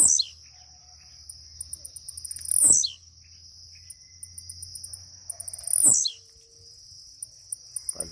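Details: Blue-black grassquit in a cage, just waking, giving its leaping song: two short buzzy descending notes about three seconds apart, with soft high ticking between them and a constant shrill background tone.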